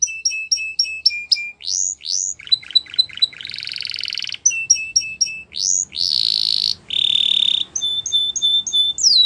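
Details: Spanish Timbrado canary song made of varied phrases: clipped repeated chips, rolling buzzy trills and long metallic sustained tones, each section changing abruptly to the next.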